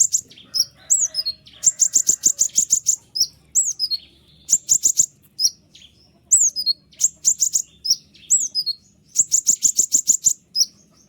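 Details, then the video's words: Tutor song of a white-winged triller, meant to spur lazy birds to sing: rapid rattling trills of many repeated sharp notes interleaved with high falling whistles, nearly continuous for eleven seconds. "konin sayap putih unik full nembak rapat tajam suara jelas paling bagus untuk masteran kolibri ninja"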